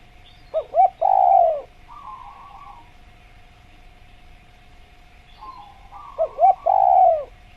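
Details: Spotted dove (tekukur) in a natural jungle recording used as a tutor to prompt kept doves to call: two phrases about five seconds apart, each two short clipped notes and a long, falling coo, with a faint buzzy note between and a steady hum.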